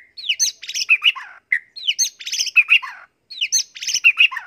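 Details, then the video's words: White-rumped shama fill-in song for training: the same short, complex phrase of sliding whistles, buzzy rattles and chirps repeated three times with brief pauses. "MASTERAN MURAI BATU"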